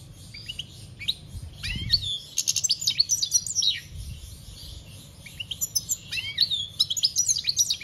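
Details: European goldfinch singing in the wild 'campero' style, recorded in 2021: a fast, liquid twitter of high chirps, trills and short slurred whistles in dense bursts. A few quiet gaps break the phrases, over a low background hum.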